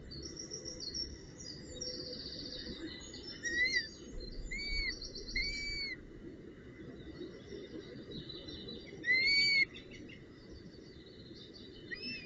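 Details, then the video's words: Northern goshawk at its nest bringing a branch and prey, June 2018: several drawn-out wailing calls with a rising-then-falling shape, spaced irregularly over twelve seconds, among high faint chatter and steady background hiss. "Havik V Met Tak En Prooi"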